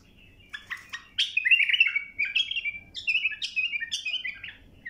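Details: Tutoring recording of a bulbul singing to teach young birds. A continuous run of bright, fluty whistled phrases with quick rising and falling notes repeats several times over a faint low hum.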